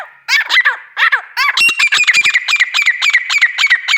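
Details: Female grey francolin giving a few harsh grating notes that run into a fast, insistent series of clipped calls over a steady ringing tone, growing denser toward the end.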